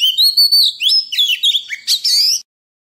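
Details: Oriental magpie-robin forest-voice singing for training young and wild-caught birds: one unbroken phrase of nearly two and a half seconds, opening with a steady whistle, then mixing quick slurred notes and ending in a rising whistle.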